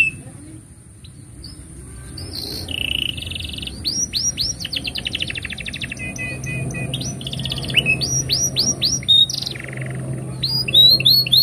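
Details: Canary song for training young canaries, starting softly and growing louder: buzzy trills, series of quick upswept whistled notes and rattles, with a faint low hum beneath.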